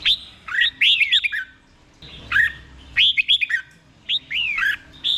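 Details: Caged red-whiskered bulbul from Thailand giving a slowly doubled song for training birds to copy; short bursts of whistled, falling notes and stuttered chirps, repeated roughly every second to two seconds.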